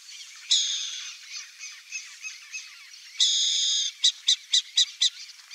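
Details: Burrowing owl (Athene cunicularia): soft scratchy chattering with one raspy note early on, then a loud rasping screech of nearly a second, followed by five clipped harsh notes in quick, even succession.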